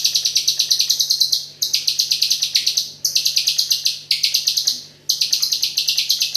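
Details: White-rumped shama singing without pause in the 'AK47' filler style: dense machine-gun-like bursts of rapid, piercing high notes, phrases of about a second broken by brief gaps, over a faint low hum.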